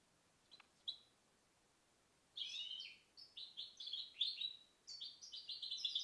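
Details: Goldfinch hybrid (mixto de jilguero) from 2010 delivering a rapid run of high, tinkling twittered notes after a couple of soft introductory chirps, in a quiet setting.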